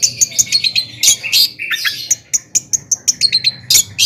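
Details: A fired-up long-tailed shrike mixes harsh scratchy squawks with high thin chirps and rapid twitters in a varied, irregular phrase, the song used to provoke other shrikes.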